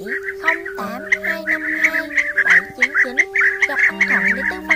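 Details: Blue-tailed bee-eater lure recording of flock calls used to draw birds to feed and roost: many overlapping rolling, trilled calls, short and bright, tumbling over one another in a busy chorus over a steady low humming tone.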